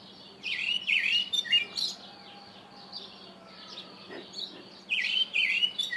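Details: Karoo thrush giving loud warbled, slurred phrases for about a second and a half, a quieter gap with faint notes, then another bright burst of rapid squeaky phrases near the end; steady low hum underneath.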